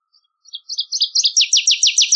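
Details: A Northern waterthrush sings a rising, accelerating series of bright chirps, the early notes soft and spaced, the later ones louder and steeply downslurred, repeated rapidly for about two seconds.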